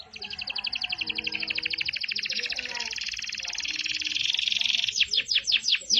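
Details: A yellow Belgian canary sings a long, fast rolling trill of bright high notes, ending in a few quick sweeping chirps; faint low voices murmur beneath.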